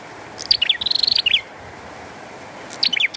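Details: One energetic phrase from a bar-winged prinia, sharp falling notes leading into a dry rattling trill, then a short pause and a second burst of chips, all against rain noise.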